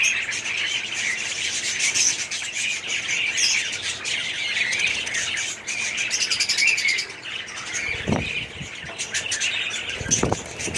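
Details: Budgerigar colony in an aviary, 2017: dense, continuous high chirping and warbling chatter from many birds, with two low thumps near the end.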